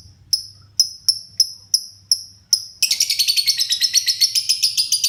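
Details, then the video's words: Pet lovebird starting to sing in full voice: a series of clean sharp high ticks, then a continuous fast rattling chatter of shrill notes to the end, over a faint low hum. "Burung LB mulai gacor"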